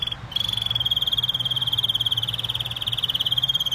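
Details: Canary song: one long, fast, even trill held on a steady high pitch for over three seconds, its notes pulsing rapidly like a rolling buzz, with a faint low hum underneath.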